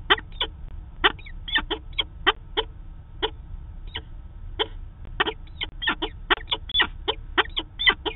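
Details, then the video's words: Daily meeting of peregrine falcons in Manchester, New Hampshire, filmed by a live camera on 2 September 2018; sharp, grating clipped notes come singly and in clusters, sparse at first and then denser, over a steady low rumble. "Peregrine Falcon - Daily meeting"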